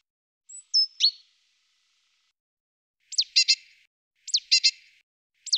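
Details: A great tit calling: one thin high descending phrase, then harsh buzzy clusters of three or four rasping notes, repeated with short gaps in a quiet background.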